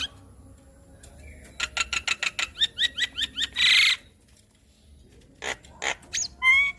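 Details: Song of a Javan myna offered to soothe a stressed bird. A quick row of chattering notes with paired up-slurred whistles, then a loud hissing burst, sparse clicks and a final bright whistle.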